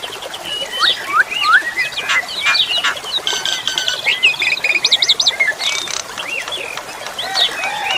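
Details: Song of an Asian pied starling: looping whistled notes mixed with harsh rattling bursts and quick trilled runs, loud and nearly continuous, with a constant background of running water.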